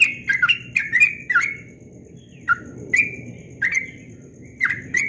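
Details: At dawn, the ropel song of a Yellow-vented bulbul opens with a fast cluster of chattering notes, then slows to single bright chirps spaced about a second apart over a low rumble.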